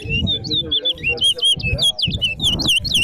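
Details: Competition towa-towa at Betterhope Center ground giving a fast, loud series of clear whistled notes, many swooping down then up, in a continuous run with brief pauses. Low voices and background music play underneath.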